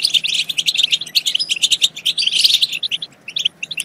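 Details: European goldfinch song used to stimulate singing and mating: quick, sparkling chirps and trilled phrases in close succession, strongest near two and a half seconds, then thinning to scattered notes.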